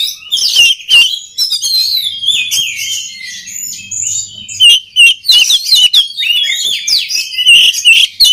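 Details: Oriental magpie-robin singing to train other birds, a rich, varied medley of whistled phrases, sharp chips and trills, with a faint low hum underneath partway through.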